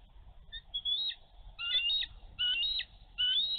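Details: Female bald eagle at her nest in Minnesota on a snowy March 11, 2023, defending her egg from a young eagle diving too close. High, thin chirped notes come in bursts of rapid squeals about every second, with faint wind rumble.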